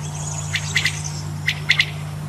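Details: Two three-note phrases from a male common quail, each a sharp note then a fast double, nearly a second apart, with a constant low hum underneath.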